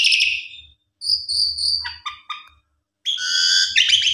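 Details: Lure song of a Javan pied starling for a sulking bird, in gacor style: a loud whistled burst, a thin level whistle, a few stuttering lower notes, then a dense high chattering warble after a pause.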